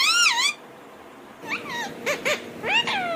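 A rose-ringed parakeet talks in a high, nasal, speech-like voice: a long rising-falling phrase, a pause, then three quick inflected syllables.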